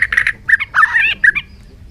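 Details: Bird giving short, harsh squawking notes at middle pitch in a quick irregular series, with one longer grating phrase in the middle.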